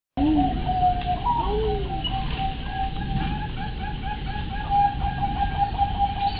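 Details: A captive crossbred zebra dove (perkutut), kept at home and noted for a good basic voice, sings soft, low, arching coos near the start, over a steady humming tone and a constant low background rumble.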